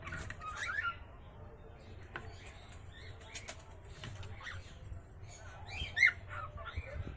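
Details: Cockatiel; aggressive call; aggression, warning others off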